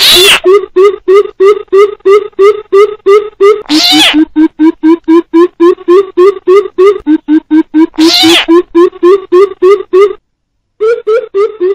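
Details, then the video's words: Trapping-lure recording of a coucal with frog calls: long, quick trains of low, hollow hooting notes interrupted by harsh, noisy bursts, then a brief pause before the hoots resume. "TIẾNG BÌM BỊP KÈM TIẾNG NHÁI KÊU DÙNG ĐỂ BẪY THÒNG"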